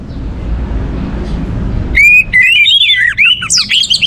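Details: Orange-headed thrush in song, meant to stimulate other birds to sing: quiet background, then a sudden loud stream of fluid whistled phrases rising and falling, ending in high squeaky notes.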